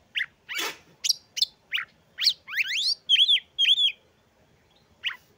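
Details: Oriental magpie-robin singing to provoke others and raise their breeding drive: a series of quick upward-sweeping whistled notes, a rasping note, then paired bright swooping chevrons, short pauses between.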